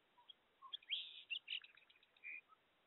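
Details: A song sparrow sings before dawn, on 04 05 22, a quick, jumbled phrase of high chips and a buzzy trill ending in a short buzz, all within about two seconds.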